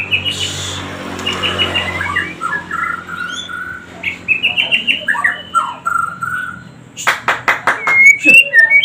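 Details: White-rumped shama singing actively: sweet, varied whistled phrases and slurred notes, followed by a rapid burst of harsh clicking rattles and a final high, sharp whistle, with faint background voices.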